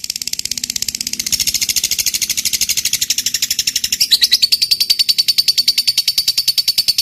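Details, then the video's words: Lovebird in long-trill "ngekek panjang" song, used to provoke other lovebirds into answering: a loud, rapid, sustained chattering trill of even pulses about three per second, turning into a higher, thinner whistled line midway. "Suara Burung Lovebird Ngekek Panjang, PINTAR Memancing EMOSI, LB Bisu SUSAH BUNYI Langsung NYAUT"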